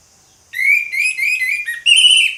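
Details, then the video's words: Orange-headed thrush in loud 'ngeplong' song, evenly repeated whistled notes in a steady string, ending in a sharper, higher burst of rich warbling. "ANIS MERAH NGEPLONG, SUARA ANIS MERAH NGEPLONG"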